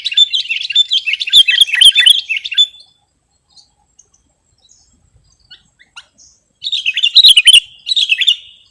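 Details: A warbling, chattering phrase from a sooty-headed bulbul, used as lure or tutoring audio for birds, is followed by near silence with faint ticks, then two more bubbly bursts.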